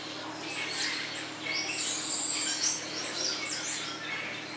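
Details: Blue-naped mousebird (Urocolius macrourus) in captivity at Vogelpark Walsrode, Germany: thin, high chirps and short whistled notes, some sliding down in pitch, given in loose irregular bursts over a steady hiss of background noise.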